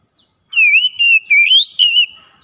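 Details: Oriental magpie-robin lure song to stir quiet birds into singing: four loud, rich whistled phrases, wavering and rising slightly, separated by brief pauses.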